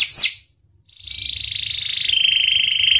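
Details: Panda canary singing vigorously: a quick high whistle sweeping downward, a short pause, then a long buzzy trill that holds steady and steps slightly lower near the end.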